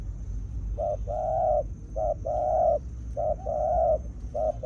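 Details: Spotted dove serving as a decoy, repeating soft low coos in pairs, a short note then a longer sustained one, four times over steady low background hum.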